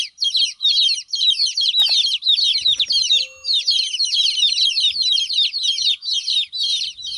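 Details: Hen's chicks left without their mother call out in shrill, high-pitched cheeping, a busy overlapping stream of quick peeps broken by one short pause and a faint click.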